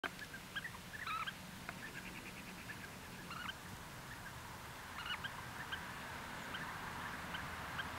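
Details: Near Grosseto on 26 May 2014, European bee-eaters give rolling, liquid trilled calls in short, partly overlapping bursts every second or two over a steady hiss. One waits at the nest entrance while the female prepares for egg-laying, then both fly off.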